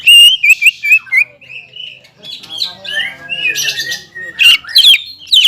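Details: Caged greater green leafbird, singing aggressively to provoke a rival: opens with rapid loud whistled notes, then quieter rambling warbles, ending with strong sharp downslurred whistles.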